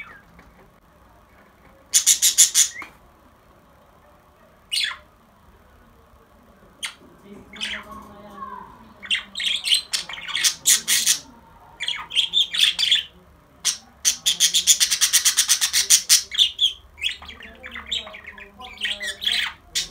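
A budgerigar chatters in bright, scratchy bursts mixed with squawks and quick chirps.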